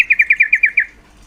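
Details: Female yellow-vented bulbul call said to stir males' mating drive: a quick burst of seven sharp, slurred chattering notes at a steady high pitch, fading out within a second.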